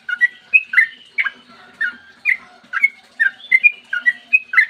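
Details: Yellow-vented bulbul giving long-run 'ropel panjang' song in the morning, meant to lure other bulbuls into singing. Liquid whistled notes with rising and falling slurs, spaced unevenly with brief gaps.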